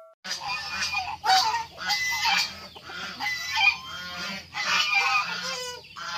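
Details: White geese on a poultry farm kept alongside fighting chickens, giving loud harsh honks in bursts roughly every second, with short gaps of quiet between calls.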